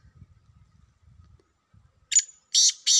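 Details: Wild black francolin, filmed in a hunting setting, starting a harsh, grating call late in the phrase: three loud rasping notes, the first with a thin whistled tail, after faint low rumbling and quiet taps.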